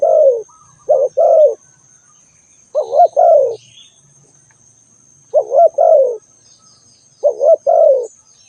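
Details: Spotted dove calling, a clear low cooing phrase of three or four soft notes repeated about every two to three seconds, with a faint steady high hiss behind.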